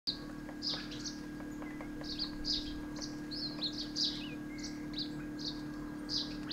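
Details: Himalayan woodpecker (Dendrocopos himalayensis) call: sharp, high chipping notes, about two a second at an uneven pace, over a steady low mechanical hum.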